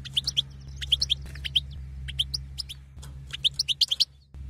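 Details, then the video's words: Batbata calls of a female European goldfinch meant to stir a caged male into mating: bright, high, clipped tweets, single and paired, ending in a rapid run of about six notes, with a faint low hum behind. "بتبته لتهييج المقنين على التزاوج"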